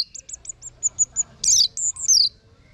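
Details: Song of an orange-headed thrush, from a tutor recording: a rapid string of about eight short high notes, followed by a harsh buzzy burst and two loud descending whistled slurs.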